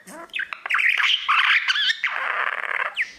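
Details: Pet male budgerigar singing to his mirror: rapid chattering warble of squeaky whistles and clicks, turning into a harsh grating buzz, with a final short rising squeak.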